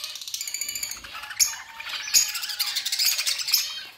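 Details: Budgerigars chattering in a dense, buzzy warble of fast high chirps and squawky notes, with a faint steady low whistle running beneath.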